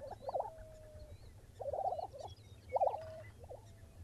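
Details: A Lesser prairie-chicken is recorded on an early morning in 2009 at a ranch in Buffalo, Oklahoma. It gives bubbling, gobbling notes in three bursts about a second apart, some ending in a held hoot, over a steady low rumble.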